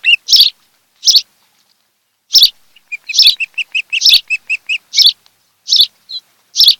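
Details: Nesting osprey pair on Kent Island, Maryland, July 2018: scattered harsh bursts about every second, with a brief run of small high whistled chirps in the middle.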